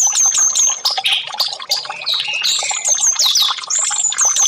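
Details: Orange-headed thrush delivering high song, for therapy of birds that stop singing: thin very high repeated whistles alternating with lower slurred notes and rapid twitters, a short gap near 1.7 seconds.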